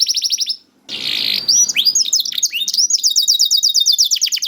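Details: Young domestic canary singing, used to prompt reluctant canaries into song: a fast high trill of repeated notes, a brief rough noisy burst, then sweeping downslurred notes running into a rapid, even trill of sharp repeated syllables.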